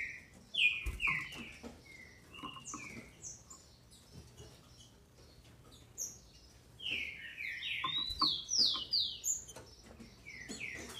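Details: Brazilian captive female green-winged saltator singing to excite males: an opening string of downslurred whistles, a quieter pause with clicks, then a loud, rapid run of overlapping falling notes.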